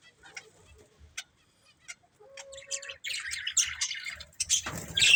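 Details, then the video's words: Budgerigars from a breeding pair and family: sparse soft chirps and clicks at first, a brief steady whistled note, then louder scratchy chattering building toward the end. "Beautiful Budgies Chirping Sounds"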